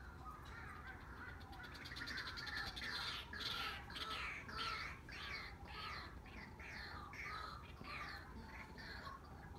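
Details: Pair of white-breasted waterhens calling back and forth in duet: harsh, rasping notes repeated roughly twice a second in an uneven rhythm, fairly distant and faint against a steady low background rumble.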